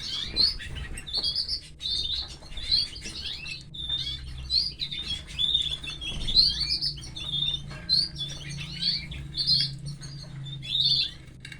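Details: A female canary feeding her chicks; the young keep up an insistent run of high, squeaky chirps, several per second, swelling and fading in loudness, with a soft low drone behind.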